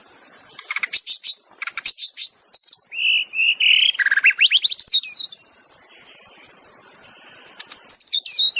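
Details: White-rumped shama singing in the wild, a song used to lure other shamas into singing: loud fast chattering notes, sustained whistled tones with sweeping slurs, then a quiet pause and a few high notes.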